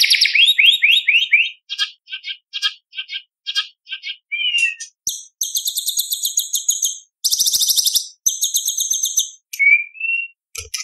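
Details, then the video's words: Full-voiced white-rumped shama singing competition 'isian' and 'tembakan': a string of falling whistles, evenly spaced chips about twice a second, buzzy high trills, and a final clear rising whistle. "Murai Batu Gacor Full Isian ~ Full Tembakan Materi Lomba"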